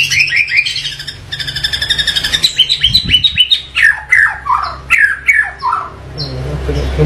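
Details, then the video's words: White-rumped shama in full varied song: rapid run of whistled notes, many sharply falling slurs between high and mid pitch, delivered in quick succession with some harsh fragments, constant low hum beneath. "MURAI BATU Full Tembakan Variasi Kasar Mewah"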